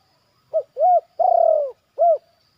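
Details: Low coos from a zebra dove under training in a yard: a short note, a longer arched one, a sustained quavering slurred coo, then another short arched note, in a quiet setting.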